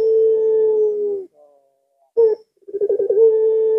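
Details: A puter pelung dove calls at midnight on a Thursday night. A held, even coo gives way to a quiet murmur and a clipped note. Then a stuttering run of pulses leads into a fresh sustained tone.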